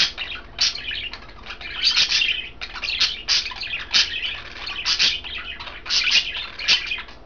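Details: Indoor budgerigars, a green, a blue and a white bird, feeding on kale in their cage; steady busy chatter of rasping chirps and squeaks, pulsing roughly every half second.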